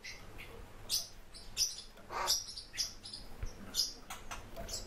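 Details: Warbling white-eye giving short, high, sharp chirps and thin tweets, spaced irregularly about one to two a second, with a few brief buzzy notes against a faint low background hum.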